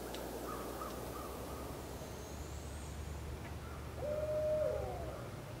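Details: Barred owl in Canada, shown with her young, gives a single drawn-out, level hoot near the end, after a few faint higher wavering notes, over a steady low rumble.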